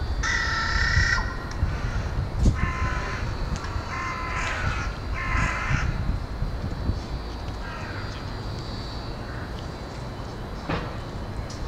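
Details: Several carrion crows arriving to roost in a Hull university woodland, 20 February 2013 at 17:44. Loud hoarse caws in quick bursts over the first six seconds, one more later, a sharp knock near the end, and low rumble throughout.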